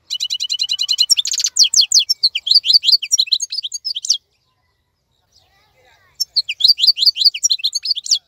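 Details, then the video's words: Caged European goldfinch that keeps its plumage and energy while other birds are silent in moult, singing a fast stream of high twittering notes, buzzy trills and down-slurred chirps, with a pause of about two seconds midway. "تغريد افضل من كل تغاريد طائر الحسون الخلوي"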